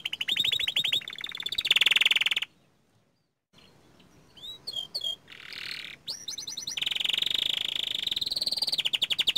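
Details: Young canary singing vigorously: rapid trills of repeated sharp notes around high pitch, broken by a silent pause of about a second, then resuming with long fast rattling trills and upward-swept whistles.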